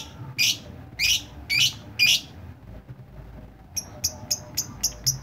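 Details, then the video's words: Lovebird in ngetik (typing) song: four loud, harsh chirps about half a second apart, a brief pause, then a run of thin, crisp ticks repeated rapidly. "Lovebird kicau ngetik"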